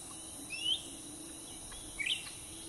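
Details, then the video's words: Black-headed bulbul beside a road, caught on tape during cage trapping: two quick rising whistled notes about one and a half seconds apart, over a low steady hum and hiss. "Mikat cucak ranting pake kandang"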